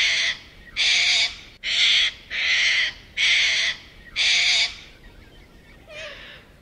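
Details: Little corellas in a suburban Melbourne neighbourhood, part of a flock of over a thousand birds feeding on the ground and in trees. Five loud, rasping screeches in a steady series, then fainter calls.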